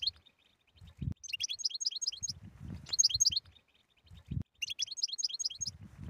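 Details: European goldfinch tetsetsa song rich in stimulating phrases: three runs of fast, high, metallic twittering with pauses between, plus low thuds and rustling.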